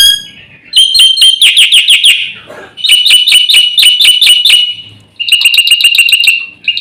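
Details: Black-winged myna master recording with full fills, used to provoke birds: a piping start, then three long bursts of fast, bright, metallic repeated notes with short breaks between them.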